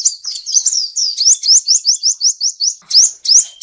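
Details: Male seven-coloured sunbird singing as a trapping lure: a run of about a dozen quick, high, rising whistled notes in even rhythm, ending with two louder upward sweeps.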